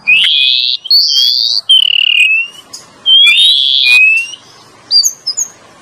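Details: Oriental magpie-robin lure song from a male and female: long loud rising and falling whistles, drawn out and sweet, separated by brief pauses, closing with a few short high notes.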